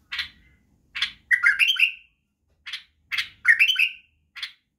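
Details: White-eared Bulbul song used to teach young bulbuls to sing: bright, bubbly phrases, a short note then a quick run of rich whistles sliding downward, repeated about every two seconds.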